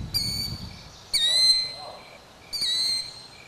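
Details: A killdeer with chicks sheltering beneath the mother gives three shrill, high, drawn-out calls, each sharp-starting then level and slightly falling, about a second and a half apart, over faint low background noise.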